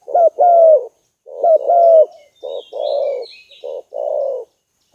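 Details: Spotted dove calling to lure birds. Low cooing phrases with a short note followed by a drawn-out, gently falling croo, several in a row. Faint high chirping from other birds sits above.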